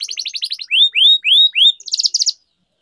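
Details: Canary singing a lure phrase meant to get stalled canaries singing again: a fast chipping trill, then four clear upward-slurred whistles, ending in a short buzzy high trill before falling silent.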